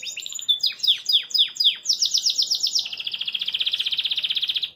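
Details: Belgian canary, kept in a cage and singing cheerfully: a few sharp downswept whistles, then rapid rolling trills settling into a steady buzzy high trill that fades out.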